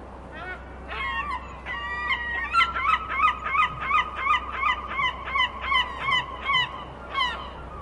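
A gull gives a few opening cries, then a fast run of about a dozen loud, nasal, laughing yelps, roughly two or three a second, over a low steady rumble.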